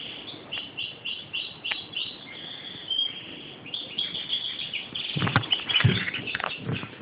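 A European goldfinch gives quick, tinkling twitters and high chirps in rapid runs, with rustling and thumping noises breaking in during the last two seconds.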